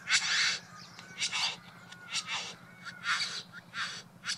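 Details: Courtship performance by a male Satin Bowerbird perched at his bower in a garden: a run of rasping, broadband churrs with faint thin whistled slides between them, against a constant low background hum.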